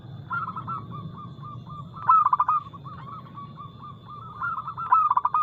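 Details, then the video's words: Quick, loud runs of pulsed coos from a lively local zebra dove with a crystal-clear voice, two bursts in the clip, while fainter doves keep up a soft cooing chorus. "PERKUTUT LOKAL GACOR Nada cepat Suara keras kristal Bikin cepat bunyi ( Pancingan Burung Anggungan)"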